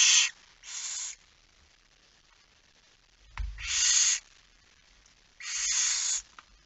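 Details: Barn owl calls at the nest while being fed at night, 22:45 on 10 September 2019: four drawn-out, noisy hissing screeches in two pairs, separated by a pause and a soft bump.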